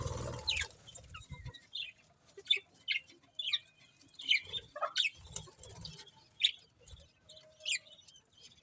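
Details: Budgerigars kept as pets, giving short high chirps and warbling notes scattered through the recording, with soft wing flutters and low bumps at the start.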